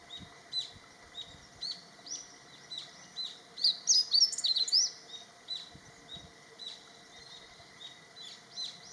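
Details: Male meadow bunting singing to claim territory and attract females: one short, quick phrase of high, bright chirped notes rises out of a steady background hum, surrounded by faint, evenly repeated high ticks.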